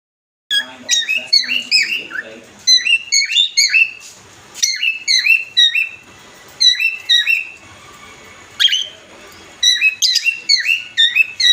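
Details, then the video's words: Adult cockatiels, pet birds, calling to a partner with loud whistled calls; bright rising and falling chirps repeated in quick bursts, several birds overlapping, with short pauses between groups of calls. "loud voice adults cocktail birds calling partner"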